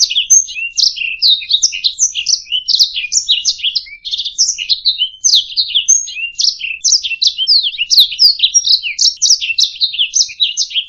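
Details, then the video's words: Canary master song for bird song practice, a long rapid warble of tumbling chirps and rattling trills, with occasional thin steady whistles woven through, continuous and clear with no background noise. "Ocehan Burung Kenari"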